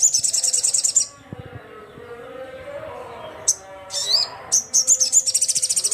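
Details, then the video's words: Sogon, or crimson sunbird, calling loudly at rivals: a dense high buzzy trill, a quiet pause, scattered sharp chips and squeaks, then another fast stream of high trilled notes. "SUARA BURUNG SOGON GACOR KERAS, GACOR JUARA"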